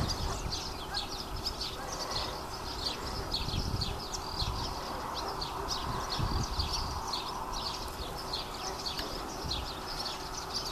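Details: Red-rumped swallows perched on power lines give quick, repeated high chirps and twitters over a steady low rumble of wind or distant traffic.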